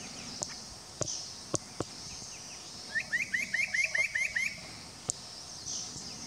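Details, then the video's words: Spot-breasted parrotbill at Doi Lang, Fang, Thailand, 25 March 2017, giving a quick run of about eight short, upslurred notes, five per second, over steady high insect hiss and a few sharp clicks. "Spot-breasted Parrotbill"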